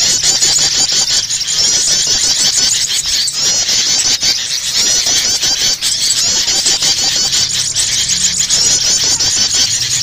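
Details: Prinias give a prenjak starter lure call, a dense, high, continuous stream of sharp, rapid notes with no pauses, mixed with noisy sooty-headed bulbul (kutilang) calls. Other songbirds' calls overlap throughout, and it is used to attract birds down.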